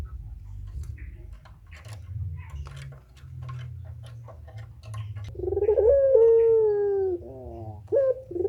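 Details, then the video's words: Puter pelung turtle dove singing for a training recording: several seconds of faint clicks and low rumble, then one long, smooth, falling mid-pitched coo with a short stuttering tail and a final brief note. "suara burung puter pelung gacor tak terbendung"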